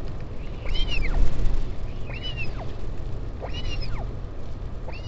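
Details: Northern royal albatross colony at Taiaroa Head near Dunedin, New Zealand, 16 July 2019, a parent visiting its chick: four arching, nasal calls about 1.3 seconds apart, with a wind gust and steady low rumble.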